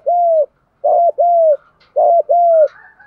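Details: Spotted dove decoy call in the country-voice style, meant to stir other doves into calling: a single hollow coo, a pause, then two paired phrases of a short coo followed by a longer falling coo, with faint chirps after.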